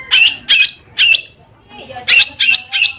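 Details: Lesser green leafbird, cucak ijo mini, giving gacor lure song: loud bright notes that jump between two pitches, three at first, a short pause, then three more in quick succession.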